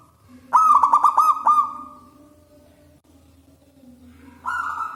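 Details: Loud-voiced local wild zebra dove, used as a lure for catching doves: a quick burst of six staccato coos slides into a sustained note, then a quiet pause, then a fresh held coo begins near the end.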